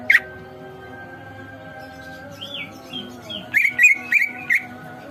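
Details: Greater green leafbird singing in short bursts: one sharp chirp, a quiet stretch, soft warbled notes, then four loud, quick chirps with twisting pitch, close together.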